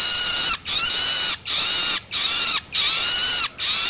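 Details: Young long-tailed shrike begging, played to stimulate adults: very long, sustained rasping screeches lasting close to a second each, with only brief pauses between them.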